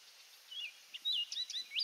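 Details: Orchard oriole at Donnelley WMA, coastal South Carolina, giving a short song phrase: a few slurred whistles, then louder sharp notes and a rising final whistle.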